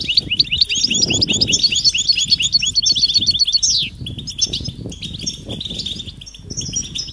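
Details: Goldfinch mating calls, the European species, used to encourage males to sing: an energetic burst of jingling, rapid high twitters ending in a sliding note, followed by quieter, sparser chirps over low rumble.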